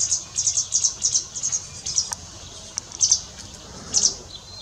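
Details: Pied wagtails feeding fledglings in a garden give very high, thin chipping notes, first in a quick run of about a dozen, then scattered single chips over a soft background hiss.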